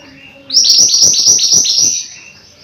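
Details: Mountain white-eye pouring out a dense, shrill, chattering series of high descending notes for about a second and a half after a soft lead-in.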